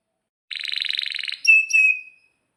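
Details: Canary lure song with a long roll: a rapid buzzing trill lasting under a second, followed by two clear drawn-out whistles.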